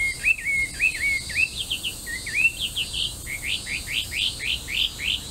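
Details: An introduced Melodious laughingthrush sings on the Arakawa riverbank in Itabashi, Tokyo: a loud, rich run of slurred, rising whistles, nearly two notes a second, climbing higher and more varied toward the end over a quiet background.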